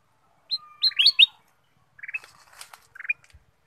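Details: Song of a black-capped bulbul, used as a lure to set other birds singing: sharp upward chirps in a quick cluster, a long faint whistle beneath, then spaced lower chattering notes.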